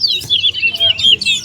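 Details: Large-billed seed finch (towa towa) singing during a bird race at Leonora bird ground, Guyana, its songs tallied aloud. Rapid, high, warbling phrases with sweet slurred notes, almost unbroken, while a man counts numbers in the background.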